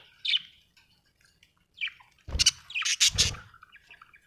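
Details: Happy budgerigar giving sparse high chirps, then a louder burst of harsh, broadband squawky chatter near the end, with faint low background rumble.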